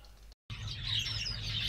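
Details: Pure-bred captive star finch fledglings that have just left the nest, kept by a hobby breeder; after a brief dropout, a dense chatter of thin, high twittering notes overlapping from several birds, over a steady low electrical hum.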